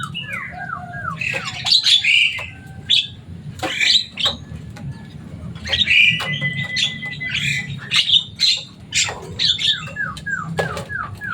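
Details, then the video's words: Caged Javan myna, loud and chattering, said to talk like a person, giving downslurred whistled notes in series, harsh squawks and a flat sustained whistle midway. "Burung jalak kebo selain suaranya yang rame ada kelebihan nya bisa bicara"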